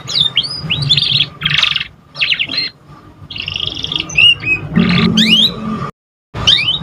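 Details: Young canary just starting to learn its song, used as a lure recording to stimulate other birds: varied bursts of bright twittering, quick rising and falling whistled sweeps and short buzzy trills, broken by brief pauses and one abrupt silent cut, over a low steady hum.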